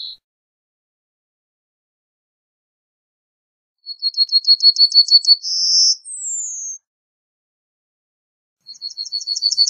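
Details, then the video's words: Yellowhammer delivering its song: a quick run of short repeated high notes rising in loudness, a held buzzy note, then a long falling whistle, with the next phrase starting near the end. "Yellowhammer Song! Yellowhammer Call! Yellowhammer - Escribano Cerillo Canto"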